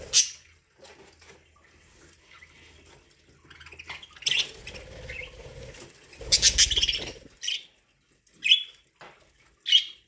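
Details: Pet budgies feeding on corn make rustling and scratching sounds, followed by a chattering burst and several sharp, isolated chirps near the end.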